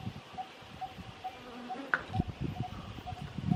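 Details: Malabar barbet in Kerala, India: a steady series of short, soft, mid-pitched tuk notes, about two per second, over low rustling and faint background murmurs.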